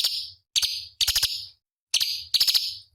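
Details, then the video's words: Cucak cungkok bulbul master song for training competition birds: four to five grating, buzzy chatter bursts with short silent gaps. "Masteran Cucak Cungkok Istimewa ~ Isian Pedas Tajam Kasaran ~Tembakan Istimewa Masteran Burung Lomba"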